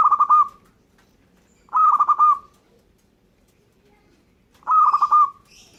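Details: Three rolling, pulsed coo phrases from a local zebra dove, each about three-quarters of a second, with long silent gaps between them and a faint high chirp near the end.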